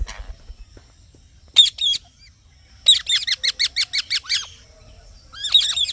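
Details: Green parrot chirping: two short harsh double chirps, then a fast run of about nine sharp, high, harmonic squawky notes, and a final burst of scratchy chirps near the end, with quiet pauses between.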